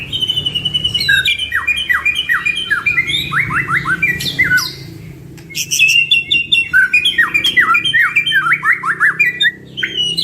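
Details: White-rumped shamas, two birds in full song for lure training. Stretches of quick trilled notes and clear downslurred whistles, a short lull near the middle, then another burst of rapid chattering phrases.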